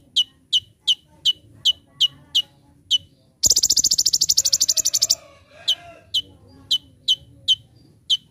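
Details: Recorded for training birds, a brown-throated sunbird gives its full 'tembakan' master song. Evenly spaced, high, clipped chips come before and after a fast, bright, rattling trill lasting almost two seconds.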